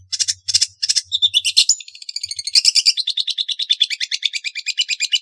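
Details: Long-tailed shrike opening with three harsh scratchy bursts, then breaking into a rapid, continuous twittering warble of thin, wavering notes, with a faint low hum early on.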